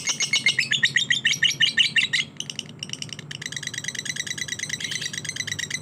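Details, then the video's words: Lovebird singing in the fighter style: a dense stream of harsh, high chirps rattled out several per second, breaking off briefly after two seconds, then resuming in a softer, steady chatter over a faint low hum. "Lovebird Fighter"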